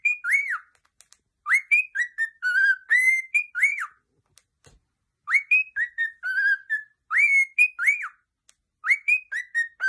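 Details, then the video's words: A pet parrot whistles a tune in clear, slurred, rising-and-falling notes, grouped in quick phrases with short pauses, and repeats the melody in an otherwise quiet room. "PARROTS SINGING"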